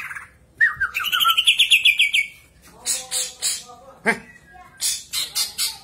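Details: Greater green leafbird song used as a lure to set other birds singing: a rapid run of bright whistled, trilling notes sliding downward, then sharp chattering chips and buzzy bursts in quick succession.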